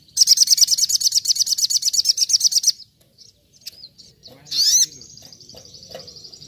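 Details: Little spiderhunter (sogok ontong) in a 'nembak nembak' master recording imitating wild singing: a rapid, very high buzzy trill of sharp repeated notes for under three seconds, then scattered thin chips and one bright rising-falling whistle.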